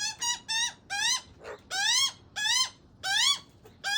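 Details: Begging juvenile Australian magpie pestering its father: repeated strained, upward-sweeping squawks roughly twice a second, interrupted once by a short noisy rasp.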